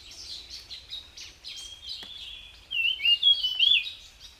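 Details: A wild jungle flycatcher, locally tledekan, sings sweetly: soft high twittering at first, then a louder run of slurred, wavering whistled notes near the end.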